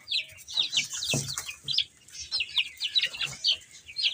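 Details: Baby chickens peeping while eating and playing: rapid high, sharp chirps, many overlapping, some descending, with brief soft thumps and scratching underneath.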